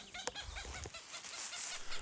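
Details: Female Cooper's hawk at her nest in a low-elevation riparian forest in northern Utah gives a quick run of harsh, clipped 'kek' cackling notes, several per second, while defending the nest against an intruder, over low rumbling background noise.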